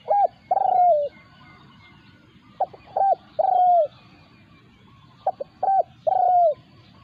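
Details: Territorial clash between a decoy spotted dove and a wild resident bird in Thailand; three clear cooing phrases, each a few quick hooting notes leading into a long, even, gently descending coo, separated by short pauses.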